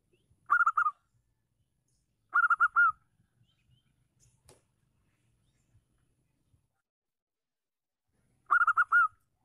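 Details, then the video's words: Zebra dove female, local bird with a big voice, calling to provoke reluctant males: three bursts of rapid, clipped coos ending in a longer note, the last after a long pause; quiet background with faint clicks. "PERKUTUT LOKAL GACOR BETINA MEMANCING EMOSI YANG MACET"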